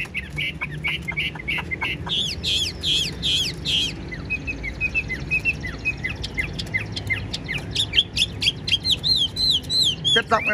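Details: Caged Chinese hwamei, described as 95% tame with a spread tail, singing a lively mix of rapid chirps, rolling whistled phrases and sharp notes, rising in pace toward the end.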